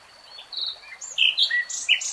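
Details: Short, varied phrase of the Common nightingale: quick chirps and whistles jumping between high and mid pitch. Faint high tones from other birds in the background.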